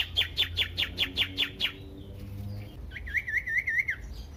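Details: A Common iora sings to spur other ioras into song: a fast run of eight repeated bright notes, a short pause, then a trilled, wavering whistled phrase near the same pitch.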